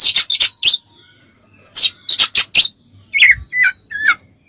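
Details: Kacer, the Oriental magpie-robin, singing as a training master: rapid runs of four harsh, rasping notes, a pause, another run, then three clear whistled slurs.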